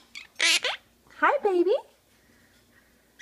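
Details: Captive monk parakeet talking in a small room, giving two quick clusters of raspy, speech-like syllables with bending, wavy tones, followed by near silence and a faint squawk at the very end.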